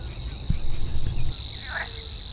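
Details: Savi's warbler song from a reedbed: a sustained high buzzing reel that grows louder after the first second, with a brief thud and a low background rumble.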